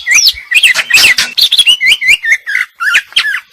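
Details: Rapid, tangled isian-style song from a female greater green leafbird, with overlapping chirps and trills giving way to clearer looping whistles that twist up and down.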